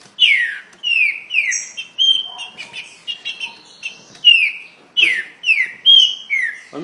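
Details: Green-winged saltator singing very fast: loud, rapid whistled notes sliding downward, closely packed into quick bursts with brief gaps, bright and ringing throughout.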